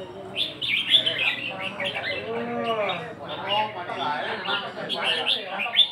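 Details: Counted-phrase song of a red-whiskered bulbul: fast, lively whistles and chattering notes tumbling together, including a gliding slurred note midway, backed by soft music.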